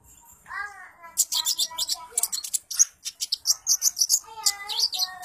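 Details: Kolibri ninja sunbird singing vigorously ('gacor'): a lively chattering series of quick high twittering notes mixed with lower, slurred whistled phrases, about three notes per second.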